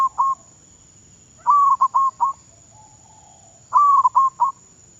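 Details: Perkutut, the zebra dove, a caged decoy bird being trained in Thailand, giving bright cooing phrases of a drawn-out note then three quick clipped notes, repeated about every two seconds, over a constant high electrical whine.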